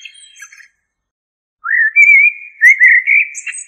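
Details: A soft high twittering fragment fades out, then after a second of silence a common blackbird (Turdus merula) gives one long, sweet warbled phrase of connected fluty notes.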